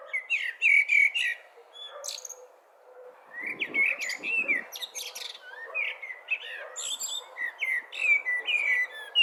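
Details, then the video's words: Blackbird song with several rich, flowing whistled phrases in quick succession. Each is a mellow warble sliding up and down, and most end in thin, high chattering twitters, with a short pause between phrases. "Black Bird Chirping Sounds"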